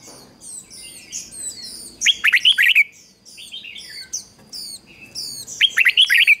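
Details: Red-whiskered bulbul used as a decoy to lure wild birds and stir them into song. It gives two bursts of quick, warbled whistles. Many thin, high, descending chirps from other birds fill the rest of the time.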